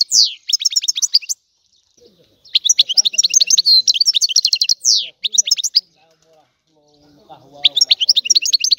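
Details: Bright, rapid twittering phrases from a European goldfinch, delivered in three bursts separated by short silences, each mixing quick chirps with buzzy trilled notes; faint low rustling near the end.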